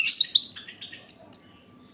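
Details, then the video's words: Short night-time orange-headed thrush song played to excite other birds: a quick trill of high notes, one long sustained whistle, then two separate bright upslurred whistles. "Suara Ini Bikin Gerah Anis Merah Lain"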